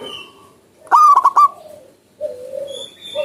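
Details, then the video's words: A wild zebra dove sings one loud burst of quick, clipped cooing notes that trail into a held tone. Quieter, steady whistled notes of other birds come before and after. "PERKUTUT GACOR SUARA ALAM LIAR"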